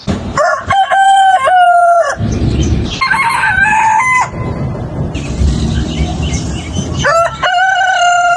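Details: Several roosters on a chicken farm crowing one after another, loud harmonic crows with stepped notes overlapping, over low rumbling background noise and clatter between calls.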